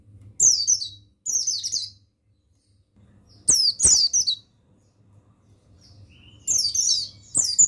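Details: Buxtoni mountain white-eye, a male, sings as a lure for caged birds: high, rapid twittering phrases come in bursts separated by pauses, with a few sharp clicks and a steady low hum beneath.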